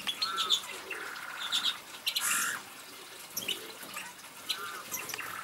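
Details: Eurasian bullfinch song: soft, piping whistled notes with short buzzy fragments, repeated in small phrases, plus a brief splashing burst midway.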